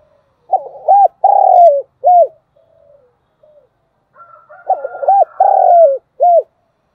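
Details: Decoy spotted dove singing to attract wild doves: repeated hoarse coo phrases, quick short notes building into a long slurred coo and an abrupt ending note, twice in seven seconds, with a thin high whistle during the second phrase.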